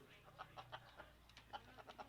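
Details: Chickens clucking in short, separate bursts spaced unevenly over about two seconds. Faint low background hum throughout.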